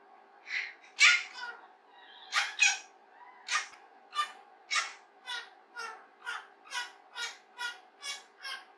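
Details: Playing alone indoors, a pet rose-ringed parakeet rehearses human speech: uneven raspy syllables at first, settling into a steady run of short buzzy notes about twice per second, with low constant room hum.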